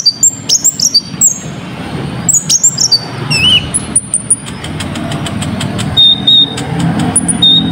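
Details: Sunbird singing in full song, used as a lure to get other birds singing: sharp, high whistled chirps and short sliding notes in quick bursts, fading after a few seconds into a steady low engine rumble with a few thin notes.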